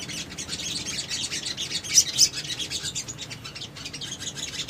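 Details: High, rapid twittering from a Little spiderhunter, recorded as bait to make other birds answer; steady chatter with two louder sharp tweets near the middle.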